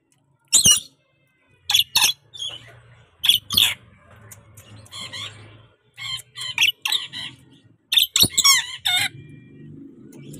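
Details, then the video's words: Tame, very talkative rainbow lorikeet kept as a pet, squawking in a lively series of harsh, buzzy screeches, mostly in short clusters, with a low hum underneath. "BURUNG NURI PELANGI JINAK BANGET LUCU GACOR POOL"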